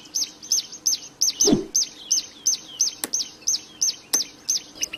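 A Plain prinia sings a fast, steady series of high, slightly arched chirps, about three each second, with a few sharp clicks and a soft thump.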